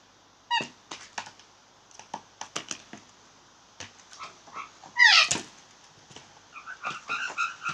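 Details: Blue jays making funny sounds: scattered clicks and short notes, then a loud, harsh, descending squawk, followed by a run of soft, nasal chattering notes.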